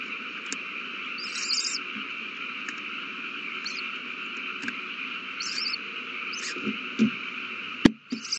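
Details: Nestling owls begging while being fed, 27 March 2020; several brief high chittering bursts spread through the recording over a constant hum, with soft thumps and a loud click near the end.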